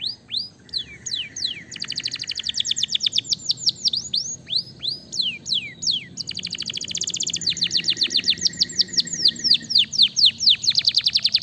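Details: Canary singing to provoke other canaries to answer: fast, continuous high trills of rapid sweeping notes, dense rattling runs and rolling phrases with hardly a pause, over faint low background hum.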